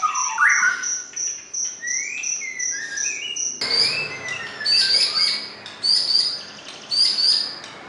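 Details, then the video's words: White-rumped shama song, clear and melodious, used as a stimulus recording for pet shamas: varied whistled phrases with rising and falling slurs and a sustained high thin tone, then denser bright chattering notes in bursts from midway. "Kicau Murai Batu Paling Jernih dan Merdu!"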